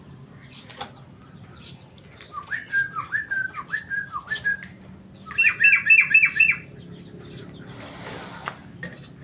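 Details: Tame male sooty-headed bulbul in ropel style. Brisk chattering notes come in two short runs of rapid repeated phrases, the second louder and denser, separated by isolated chips. A faint low hum lies underneath.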